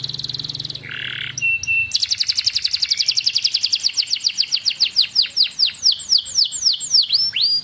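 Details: Canary in full song: short buzzy notes and a steady whistle, then a long rapid series of high repeated notes that slow into separate descending sweeps.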